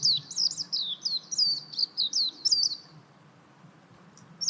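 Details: Warbling white-eye: a string of sweet, sliding high notes, each swooping down then up, delivered quickly for three seconds before falling quiet.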